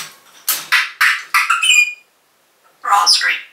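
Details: Caged pet African grey parrot talking, calling out a person's name: a rapid run of speech-like syllables, a pause, then another short spoken phrase, indoors.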